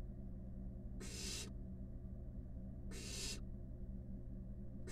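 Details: Two broad, hissing screeches about two seconds apart from wild barn owl nestlings, five chicks snuggled together inside a nest box, over a steady low droning hum.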